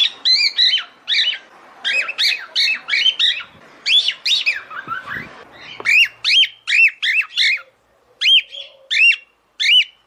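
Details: Female cockatiel's mating call to the male: a fast, steady train of around twenty-five bright, arched whistled notes, briefly broken by softer sounds, with clean silence near the end.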